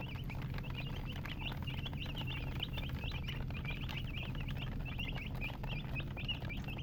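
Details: Young chicks peep constantly, a dense flock of short, high, bent chirps repeated several times per second, set against a continuous low droning hum and light patter.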